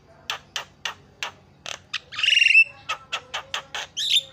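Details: Javan myna lure calls meant to set other birds calling: evenly spaced harsh chattering notes broken by a buzzy, rasping trill and a closing upward whistle.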